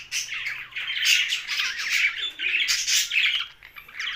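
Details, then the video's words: Young budgerigar calling loudly in rasping, squawky chirps, in rolling bursts with short lulls between them. "Young Budgie's Sound's"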